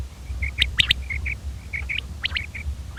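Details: Common quail delivering a crisp three-note call, one note then a fast pair, amid many short warbling chirps from other birds and a low background hum.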